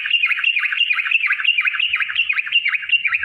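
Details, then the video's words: Yellow-vented bulbul in a continuous fighting song (ropel) meant to provoke rivals to sing: dense, rapid bubbling warble of looping notes, no pauses, with faint low thumps. "trucukan gacor TARUNG ROPEL PANJANG"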